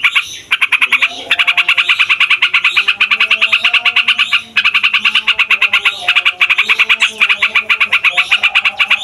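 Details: Long rolling song of a yellow-vented bulbul, used to lure wild bulbuls: long runs of very fast rasping pulses with short breaks, loud and harsh, a faint low drone behind.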